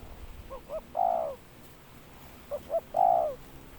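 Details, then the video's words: Spotted dove calling: two short rising notes followed by a longer, drawn-out falling coo, given twice, with faint low background rumble. "เสียงนกเขาใหญขันเรียก กลิ้งตัน"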